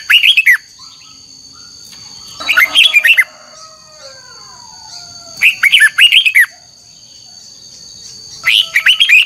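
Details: Red-whiskered bulbul in a voice-training recording: four compact bursts of rapid, twisting whistled notes about every three seconds, with a steady high-pitched tone running underneath and faint sliding sounds between phrases.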